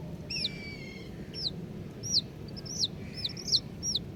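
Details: Colourful baby chicks chirping: scattered, fairly soft, high peeps that slide downward, with a few longer, flatter notes, spaced irregularly over a low steady background hum.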